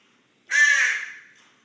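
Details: Sleeping common raven snoring close up, producing one loud, coarse, buzzy rasp that swells quickly and trails off over about a second.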